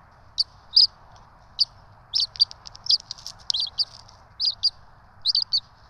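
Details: Two bald eagle chicks begging while fed at a camera-watched nest in Johnson City, 12 March 2024: loud, high, sharp chipping peeps in quick doublets and triplets, repeated roughly every half second, over faint low hum.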